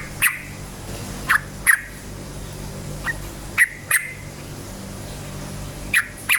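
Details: Yellow-vented bulbul song used to provoke other bulbuls into singing: short sharp chirped notes, repeated irregularly about every half to one second, some paired, over a steady low hum.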